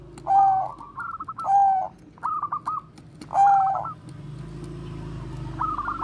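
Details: Bangkok-type zebra dove, kept to lure and train other doves, delivers three bursts of cooing, each a held low tone running into quick stuttered notes, with gaps between and a soft background hum later.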